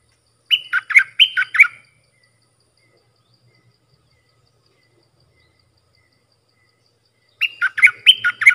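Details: Bulbul song used to train hand-fed young birds and fledglings and to lure fierce wild birds. Two bursts of four or five bright, slurred, chirpy notes, separated by about six seconds of near silence with faint low rattling.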